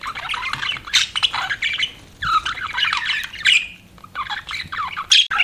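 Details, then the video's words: Pet budgerigars chirping in bouts of harsh, buzzy chatter and squeaks with short pauses between them, ending with a sharp high whistle. "BUDGIES CHIRPING SOUND"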